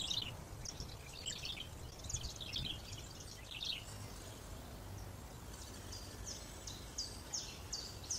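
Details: Hungry great spotted woodpecker chicks being fed by adults on Cannock Chase beg with shrill, rapid chirps in bursts of several notes, against a steady low rumble of wind.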